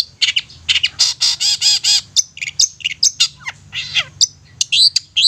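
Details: Long-tailed shrike song played as a lure for singing birds: harsh rasping buzzy notes and scratchy chatter mixed with quick chips and short whistles, loud and hurried, over a faint low hum.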